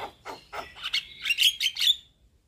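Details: Head-bobbing white-eyed Javan myna in lure chatter for silent mynas: rough, buzzy notes climbing into a short cluster of shrill, rising whistled calls, then silence.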